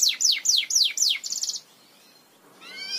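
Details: Belgian canary tutor song: five loud descending whistled notes repeated at a steady quick pace, a short rapid rattle, a moment of near silence, then a soft rising warble beginning.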